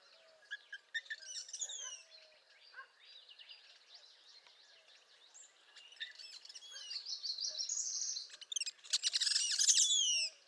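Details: Northern parula singing in spring: scattered high chirps and slurred whistles, then a loud, buzzy, rising series of notes near the end, with other faint bird notes in the background.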